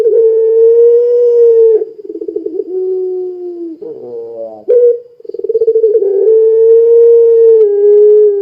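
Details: Puter pelung Barbary dove singing to set other doves calling: a long even coo drops into a lower wavering stretch, then a buzzy nasal note, a sharp restart and another extended hollow coo.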